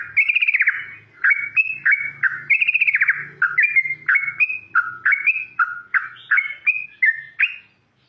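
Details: Yellow-vented bulbul in the wild in full, loud song, giving quick chortling phrases of mellow, slurred notes that drop and rise, packed closely together, with a faint low rumble underneath.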